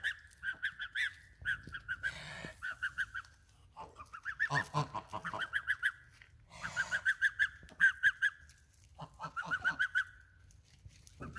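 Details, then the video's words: A group of geese honking steadily, bright nasal calls in rapid runs of several notes, pausing briefly between bouts, with some rustling noise mixed in. "Nice geese"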